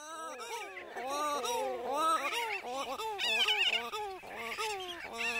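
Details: Christmas shearwaters (ʻaoʻū) at a breeding site with chicks on Eastern Island, Papahānaumokuākea, Hawaii, give nasal, wailing calls that rise and fall; the name echoes a repeated ʻao ending in a long ʻū. Several voices overlap, about four a second.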